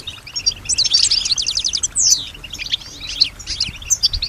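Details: European goldfinch that imitates the sounds of other birds and people; moderately quiet high twittering with a short trill, a descending slurred whistle, and scattered chirps.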